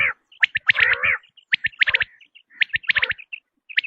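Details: Quail tested sound: brief groups of sharp high clipped notes, several in a row, separated by short gaps, with one harsher rasping burst near the start.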